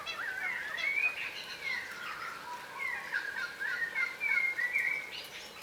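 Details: Yellow rosellas, a subspecies of crimson rosella, feeding on the ground give soft, mellow whistles and chattering notes, rising and falling in a loose, continuous run, over a light background hiss.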